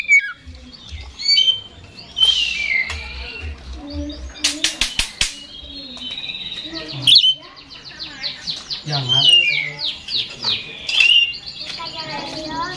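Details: Oriental magpie-robin (kacer), a 'gacor' 'ekor goceng' bird in 'ngeplay konslet' style, delivering a varied stream of sweet whistles, fast trills and harsh rattling bursts, with a dry clattering noise near the middle and faint low sounds beneath.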